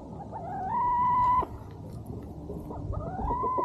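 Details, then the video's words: Chickens and a rooster on a farm at sunset while the farm dog eats: a long drawn-out tonal call rising and then holding steady, cut off sharply, with a second rising call beginning near the end over low background rumble. "Chickens and Rooster Singing"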